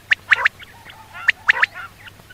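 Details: Common quail, said to be female, giving sharp clipped notes in quick groups of three, with the group repeated about a second later. There is a faint hum underneath.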